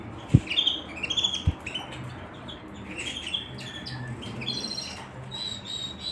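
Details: Canary giving short, high chirps and quick downward-sweeping notes in loose bursts, several overlapping at times, over a steady low hum and two sharp knocks near the start.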